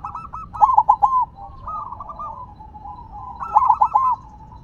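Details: Zebra dove, silver variety, singing while set down on the ground: repeated rapid rolling coo phrases, two stronger bursts of fast stuttered notes joined by gentler trilling coos.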